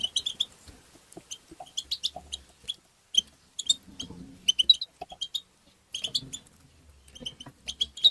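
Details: Goldfinch tabtaba twittering meant to stimulate other goldfinches: clusters of high, tinkling chirps and buzzy notes in uneven runs, with short gaps and a faint low rumble in places.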